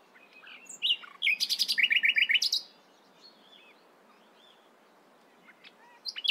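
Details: A nightingale sings in the morning: one sharp note, then a dense rapid volley of repeated buzzy notes lasting about a second and a half, followed by near silence with faint distant chirps.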